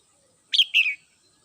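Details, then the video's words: Red-whiskered bulbul in morning song at home: a single warbled two-syllable phrase, a bright whistled note sliding into a longer, lower, slurred second note. "CHim Chào Mào Mơ nhà mình hót buổi sáng"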